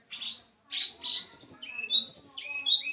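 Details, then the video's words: Tledekan gunung of Java, caged and being paired; a few harsh raspy chips open, then clear high whistled notes and downslurs string together in a quick melodic phrase. "penjodohan tledekan gunung jawa. tempel satu mingu lagsung jodoh. si kecil cabe rawit bersuara merdu"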